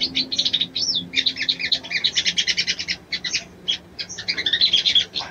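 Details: Female crimson sunbird calling to arouse a male: dense bursts of high, dry chittering notes, each burst a rapid run of short chirps, with brief gaps and a thin whistled upslur near the start.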